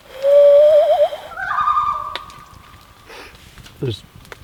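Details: Common loon giving a tremolo, a quavering, wavering call that rises and breaks into a held higher note, then faint knocks and rustles, on a lake where five loons cruise by during a wilderness survival camp.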